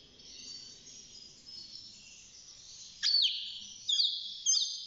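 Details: Six-month-old European goldfinch in a cage, beginning its song: a blurred, hissing high warble at first, then three loud, bright chirps with quick downward slurs in the last two seconds.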